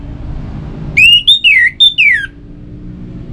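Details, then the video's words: Orange-headed thrush song played to make kept birds sing: one loud whistled phrase of about five linked notes, rising then sliding down, lasting just over a second, over a low steady rumble. "Suara Burung ANIS MERAH"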